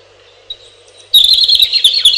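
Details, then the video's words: Robin singing: after a second of near silence with one faint note, a loud, rapid, high warbled phrase of twittering and trilled notes runs to the end. "1 Hour Robin Bird"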